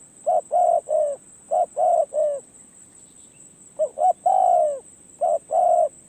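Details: Spotted dove decoy bird on a perch gaining experience utters clustered series of three low, rounded coos, a quiet gap, then rising short notes into a long falling coo; thin electrical whine behind.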